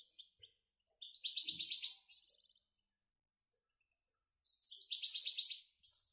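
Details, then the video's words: Young goldfinch and canary hybrids in a cage, feeding independently, sing two lively phrases of fast repeated high chirps, roughly three notes a second, separated by a two-second pause. "mixtos de jilguero y canaria"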